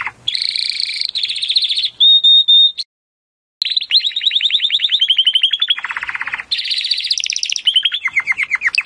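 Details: Timbrado canary training song: buzzy rolling trills, a steady pure whistle, a short silence, then long fast trills of descending notes shifting between higher and lower rolls.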